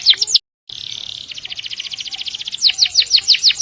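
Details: Canary in 'gacor roll panjang' long-roll song, used as a master recording to train canaries and other birds. High sweeping notes, a short silent gap, then a fast buzzy roll of rapid repeated pulses and more downslurred sweeps.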